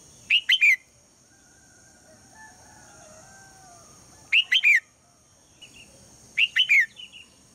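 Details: Morning calling by a female red-whiskered bulbul to rouse the male into song; three whistled three-note phrases at uneven gaps of two to four seconds, each note a short rising-then-falling slur, with faint soft chirps between.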